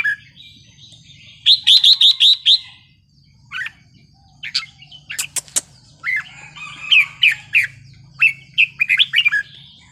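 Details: Red-whiskered bulbul singing a wild-style song (phleng pa), used to excite other birds: a quick run of six bright, rising chirps, then scattered whistled, warbling phrases with sharp clicks and a low hum underneath.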